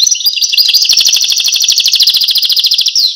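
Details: A European goldfinch sings a rapid, rhythmic rattle of high bright notes, evenly repeated in a steady pulsing trill for about three seconds, ending in a slurred note.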